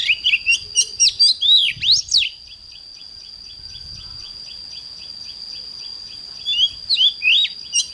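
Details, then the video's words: Morning song from an oriental magpie-robin, a fast run of varied whistles and sharp twittering notes, then a lull filled by faint repeated chips, before the bird resumes its whistled phrases at the end. "Chích choè than hót sáng"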